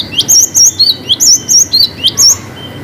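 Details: Cinereous tit singing a long varied 'wucit' phrase for luring silent birds: high, clear whistled notes in paired upslurred and downslurred figures, repeated about four times a second over faint background hiss.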